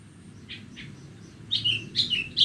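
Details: Horsfield's bush lark in Borneo on a bright morning, two soft notes followed by louder chirping, whistled phrases.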